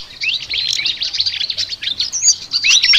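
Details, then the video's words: Brief burst of flycatcher ngoceh song: dense, buzzy high chirping with rapid rising slurs and a short looping whistle toward the end. "BURUNG SIKATAN NGOCEH TER UNIKK"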